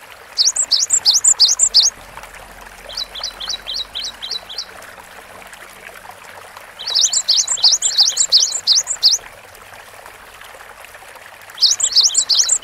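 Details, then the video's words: Persistent song of a Cinereous tit, alternating bursts of rapid looping high whistles with runs of crisp, evenly spaced short peaked notes, broken by brief silences. "GELATIK BATU GACOR DURASI PANJANG MASTERAN SUARA BURUNG KECIL"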